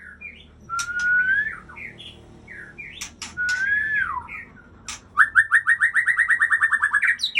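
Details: Aceh white-rumped shama mixing clear slurred whistles with sharp clicks. A smooth rising-then-falling whistle is given twice, followed by a fast rattling series of repeated notes that ends in a high flourish.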